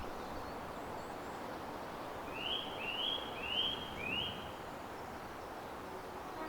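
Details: A Eurasian nuthatch from a nesting site calls from up in a tree: four quick, clear, upslurred whistled notes about half a second apart, over a steady low rumble of background noise.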